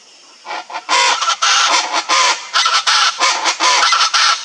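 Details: Wild Chaco chachalacas in the Pantanal in a loud, harsh rhythmic chorus: several birds overlapping with raucous grating phrases repeated in quick bursts, about ten phrases in four seconds.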